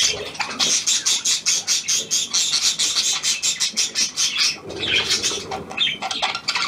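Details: Australian pied budgerigar, hand-tame, 17 February 2023, delivering a rhythmic pulsing chatter of high buzzy notes, roughly three pulses per second, then a softer squeaky warble.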